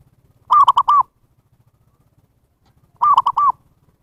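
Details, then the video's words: Zebra dove call used to draw in wild birds: two matching phrases about two and a half seconds apart, each of four fast, ringing, arched coo notes. "SUARA PIKAT PERKUTUT นกพิราบชวา Chim Cu Vằn | memanggil burung liar"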